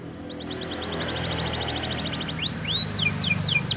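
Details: Spanish Timbrado canary training song in the morning, a rapid even trill followed by rising and falling whistled slurs, partly masked by steady low background noise and hum.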